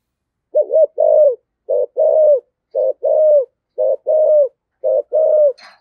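Spotted dove giving five deep, mellow paired coos, a short note then a longer one, about once a second; a brief click ends it.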